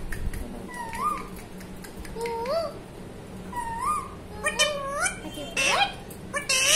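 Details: Talking parrot voicing repeated upswept, whistle-like syllables with strong harmonics, roughly one per second, later mixed with harsher, noisy squawk-like bursts; steady low electrical hum underneath.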